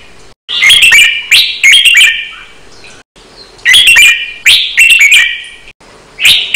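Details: Red-whiskered bulbul training song with fast doubled notes: loud, bright warbled phrases with quick doubled notes, delivered in two bursts separated by a short pause.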